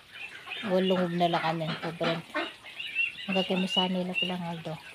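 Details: Ducks kept for sale utter clustered bursts of harsh, buzzy quacks in two bouts separated by a short pause, with a faint higher squeak between them.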